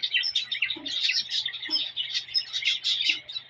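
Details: A male cockatiel chirps and whistles at a female to stimulate mating. Continuous busy twittering of quick, overlapping notes, with a few soft low thumps in the background.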